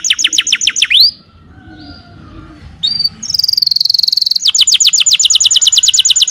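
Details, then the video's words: Canary singing with rapid high trilled notes, a rising whistle, a soft pause with faint tones, then a sharp buzzy high note followed by another fast repeated trill. "Kenari gacor"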